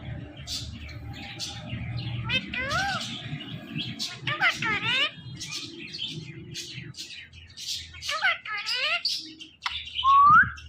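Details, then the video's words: Pet parrot talking, giving several quick speech-like phrases made of bending, wavering tones alongside scratchy chirps, then a final rising whistled note; low steady background hum throughout. "parrot talking || talking parrot"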